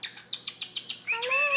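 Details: Pet male cockatiel talking to two other birds: a run of six short, evenly spaced chirps, then a sustained whistled tone with stacked overtones, rising slightly; a person speaks around it.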